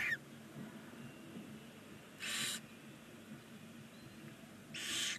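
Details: Nine 19-day-old barn owl chicks in a nest box on a chimney in Ságvár, Hungary, give harsh, breathy begging hisses, two drawn-out bursts about two and a half seconds apart, over a faint low hum.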